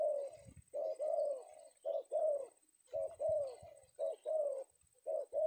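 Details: Afternoon-caught male tekukur (spotted dove), penguku style, Indonesia: a quick short coo leads into a rolling longer coo, the pair repeated four times, with faint rustling noises in between.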